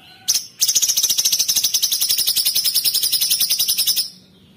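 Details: Sooty-headed bulbul (cucak cungkok) giving 'tembakan kristal' shots. Two quick sharp notes lead into a continuous high, rapid buzzy trill lasting about three and a half seconds, then silence.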